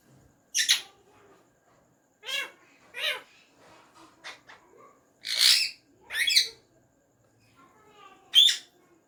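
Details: Tame pet ringneck parrot talking, saying "Mian Mithu" in Urdu/Hindi: scattered short harsh speech-like syllables every second or so with quiet gaps between.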